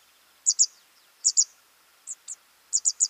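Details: Nestlings being fed give crisp, very high chirps in pairs and triplets, with two quieter single notes midway, in a quiet setting.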